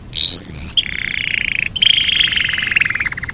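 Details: Yorkshire canary in a long rolling song: a rising whistle, then a long buzzy rolling trill held for over two seconds.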